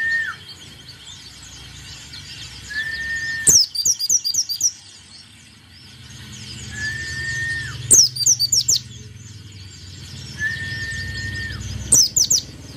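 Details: White-eye song repeated three times, roughly every four seconds: each phrase opens with a flat whistled tone and breaks into a quick cluster of shrill descending chirps, over a faint low rumble.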